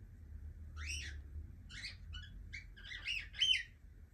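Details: Young pet cockatiel giving a run of short chirping calls, several harsh, rising-and-falling notes spaced irregularly over about four seconds, over a low indoor hum.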